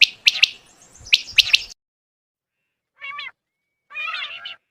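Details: Quail, called batair in Urdu, whose call is used in hunting: sharp, high chirping notes in quick bursts over about two seconds, then a pause and two short harsh, buzzy calls with stacked tones.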